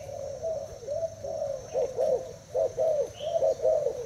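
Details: Spotted dove of Thai type, kept in a cage, dueling a decoy bird in a cooing match; soft coos run in clipped bursts, several notes closely spaced, with occasional brief pauses and faint hum in the background.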